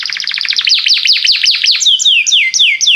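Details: Belgian canary song used to make other canaries sing: rapid trills of bright high notes, then a run of clear downward-sliding whistles repeated about twice a second, loud and close with no other sounds.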